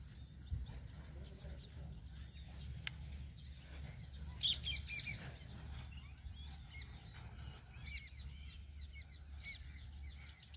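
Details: House sparrow chirping outdoors: short, bright high chirps in loose clusters, sparse at first and then thicker over the second half, over a steady low rumble of background noise.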